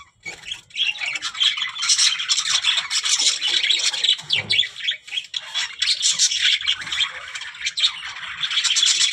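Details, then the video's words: Talking budgerigars produce nearly unbroken, harsh, scratchy chatter mixed with quick chirps, staying loud and busy throughout with only a brief dip near the middle. "budgies parrot talking | chidiya ki awaz"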